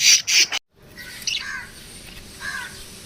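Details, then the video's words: Lovebirds chirping: two loud harsh squawks open, then after a short gap softer down-slurred chirps and faint twitters. "love birds singing sounds"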